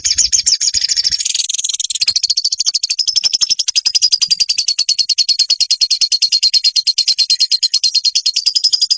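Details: Olive-backed sunbird song recorded for training caged birds: a long, very high trill of rapid pulsed notes, about two per second in groups, shifting slightly in pitch and continuing without pause.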